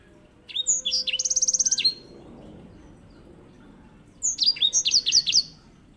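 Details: Grey singing finch used as master song for training canaries; a phrase of swooping whistles leading into a rapid buzzy trill, then after a pause another run of descending slurred notes.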